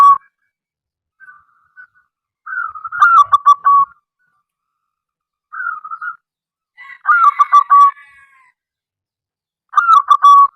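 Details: Local zebra dove (perkutut) calling to attract other doves into song: quiet lead-in coos, then repeated loud phrases of rapid, clipped cooing notes, each broken into a rhythmic stutter, spaced several seconds apart.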